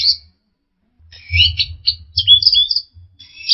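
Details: Orange-headed thrush, used for training caged birds, giving a dense burst of scratchy, overlapping warbled notes and quick whistled slurs, with a low rumble throughout.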